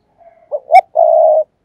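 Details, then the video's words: Decoy spotted dove in a tree, set to lure wild doves: faint soft cooing, a quick upward note, then a single long level mellow coo. "cu gáy mồi cây thúc gù"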